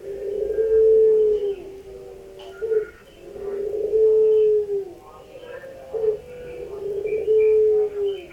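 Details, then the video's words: Barbary dove (puter pelung) gives long, drawn-out, hollow coos, each lasting over a second and repeated about every three seconds, with faint background hiss. "PUTER PELUNG"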